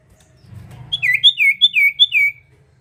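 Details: Singing sirtu bird used as a lure for other birds; a quick phrase of high, alternating whistled chirps, some rising and some dropping, about seven notes in just over a second, with a faint low hum.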